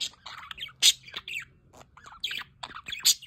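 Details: Budgerigars in an aviary with a solar water fountain: bright, scratchy chirps and squawks in quick, irregular bursts, with one loud sharp squawk near the middle and another near the end.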